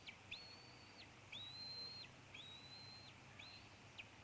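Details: Fledgling female eagle near a Maine nest on July 9, 2014, 4 pm, while an adult eats a squirrel meal; repeated long, high, thin whistles, each starting with a sharp upward slur and held steady, about one per second over faint background rumble.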